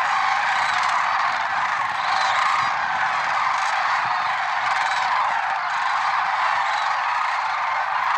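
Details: Lesser sandhill cranes, many birds, early morning at Merced National Wildlife Refuge on February 6, 2023, giving overlapping rattled trumpeting calls that merge into one steady chorus, slightly swelling near the start.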